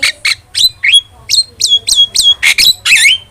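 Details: Starling sounds used as a lure and tutor recording for training kept songbirds: a quick series of sharp, squawky notes, then several whistled notes that fall and level off, ending in a harsher rasping burst.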